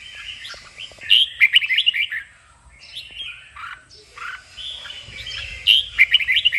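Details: Red-whiskered bulbul roused for 'kích bổi' singing practice delivers rapid, rich whistled trills. Loud bursts around 1–2 seconds and again near 6 seconds, with softer warbling notes in between.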